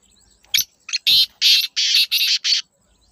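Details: Black francolin (kala teetar), natural recording: a harsh, grating call of about six loud rasping notes in quick succession, the later notes longer and evenly spaced, over a quiet background.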